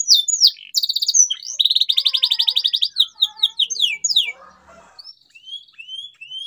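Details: Canary 'gacor' song played to prompt a mute canary to sing again: a sharp opening, a long rapid rattling trill, descending whistled sweeps, then faint soft rising notes after a quieter gap.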